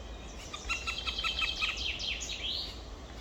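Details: Black woodpecker chicks, two nestlings, on 23 May 2023 in the evening at 19:43: a fast run of high, harsh, harmonic notes, roughly three per second, ending in a rising, squealing slur.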